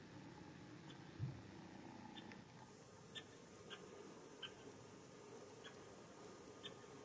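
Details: A male great spotted woodpecker (Dendrocopos major) calls as he searches leafless garden trees for grubs on a foggy early-February morning around 9:15 am in Japan, giving sharp, high single "kik" notes about a second apart over a low rumble.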